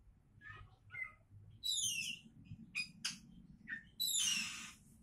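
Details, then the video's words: Oriental magpie-robin tipped as a future champion, producing mixed whistles, a falling cascade of high sweeping notes, sharp clicks and a long harsh hissing rasp at the end, with a low hum beneath. "Kacer Calon Juara"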